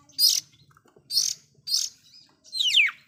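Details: Oriental magpie-robin giving a loud song said to provoke other magpie-robins: three harsh, buzzy high bursts roughly half a second apart, then a longer slurred phrase sweeping downward, with quiet gaps between phrases.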